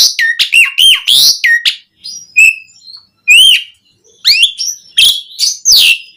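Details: Asian pied starling song, played to stimulate captive starlings to sing: loud varied whistles, rising slurs and harsh chattering bursts in quick succession with brief pauses.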